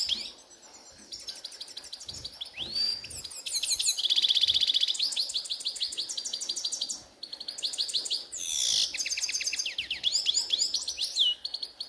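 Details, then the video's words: Grey-headed goldfinch singing in a ravine: a fast, rich stream of high twittering trills, buzzy notes and upslurred whistles, with short pauses between phrases. "Седоголовый щегол в яре"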